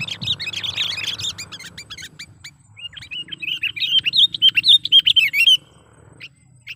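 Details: Sooty-headed bulbul lure call for trapping: clicking sounds over a low rumble first, then a clear run of quick, bright chattering notes lasting about two seconds before fading.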